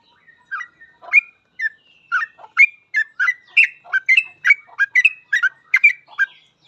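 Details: Sooty-headed bulbul in lively 'full ropel' song, a master recording for teaching captive birds: a fast string of short, liquid, warbled notes that starts sparse and quickens into a steady, almost unbroken run of chirps.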